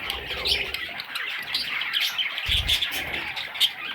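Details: Several little parrot chicks chirping and squawking in quick overlapping bursts, with low rumbling handling noise mid-way and a few sharper, louder chirps toward the end.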